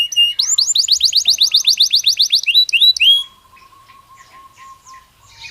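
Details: Belgian canary singing: a short high note, then a fast trill of upswept notes and a couple of slurred whistles, followed by a faint low steady tone and quiet.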